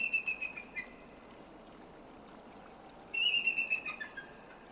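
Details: Female eagle nestled in a tree close to a lake in the Canadian Rockies chatters: two bursts of thin, high piping notes, each a quick run of six or seven squeaky notes that trails off, over a quiet background.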